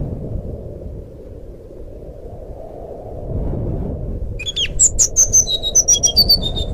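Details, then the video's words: Fluting song of a forest flycatcher (sikatan rimba), meant as a lure for a bird that has stopped singing: after several seconds of low rumbling background, a fast run of bright, high whistled notes begins and carries on to the end. "suara burung sikatan rimba nyuling"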